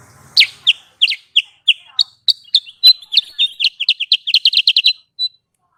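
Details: Lure sound of a sooty-headed bulbul for trapping: bright, high chirps, spaced at first, then tightening into a rapid, fairly regular string before ending on one lone note.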